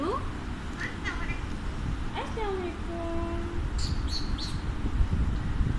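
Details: A pet Alexandrine parakeet that speaks Urdu and Hindi gives soft, speech-like, gliding tonal phrases over a loud low rumbling background. A few brief high chirps come near the end.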